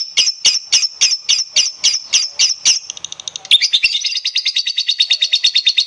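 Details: Lovebird lure song meant to set other lovebirds singing, long gacor style: spaced squeaky notes, then a short pause, then a fast run of high chattering trills.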